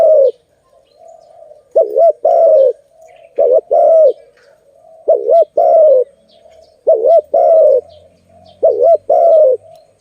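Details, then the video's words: Malay dove, filmed where doves are trapped and released, repeating a two-part coo: a quick undulating double note, then a longer flat coo. Six phrases follow steadily, with a soft low murmur between them. "Lovely dove- Video lovely Malay dove, Sound of good dove"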